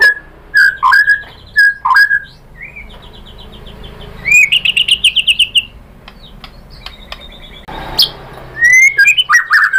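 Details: White-rumped shama lure song to provoke a rival: swooping whistled phrases, then a fast rattling series of bright notes, a pause, and a rising whistle into chattering notes.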